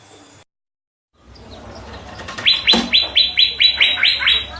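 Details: Greater green leafbird, called cucak ijo, beginning after a brief silence with a rising rush of sound, then repeating a bright, sharp, downslurred note about three times a second.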